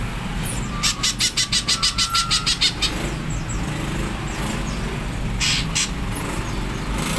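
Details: Greater green leafbird giving a harsh 'nyerecet' rattle, a rapid series of about a dozen buzzy, scratchy pulses at roughly six per second, then a shorter burst later, over constant low traffic-like rumble.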